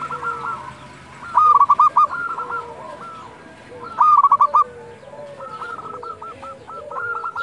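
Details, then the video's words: Dusk calling by local zebra doves: two loud pulsed coo bursts stand out over a chorus of quieter stepped cooing phrases from other doves nearby. "perkutut lokal gacor panggilan waktu senja"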